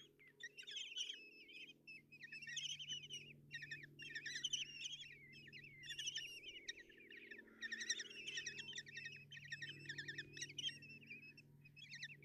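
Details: Common kestrel chicks begging as an adult brings food to the nest box in Tiszalök, Hungary, on a June 30, 2024 morning; dense overlapping shrill, quavering trills and chirps from several young, continuous over a steady low hum.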